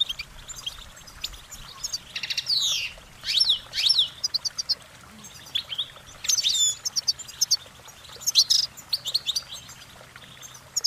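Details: A goldfinch's cheerful, musical singing: rapid twitters mixed with clear slurred notes sweeping up and down, delivered in short phrases with gaps between, over a faint low hum.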